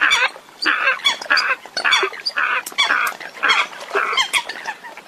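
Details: Eurasian coots recorded abroad, a call type said not yet heard from birds in Vietnam: dense, loud, overlapping honking notes repeated rapidly by several birds.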